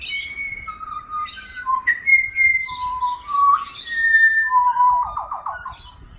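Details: Pied Butcherbird, an Australian native, singing its flute-like song up close. Pure whistled notes step between pitches, some sliding upward, ending in a quick rippling trill. A person speaks briefly nearby.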